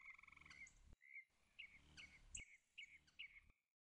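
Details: Possibly a leucistic (white) Black-chinned Hummingbird, though the sound may come from other birds filmed in the area: thin, high chip notes, about six in quick, uneven succession, after a brief rapid buzzy rattle at the start.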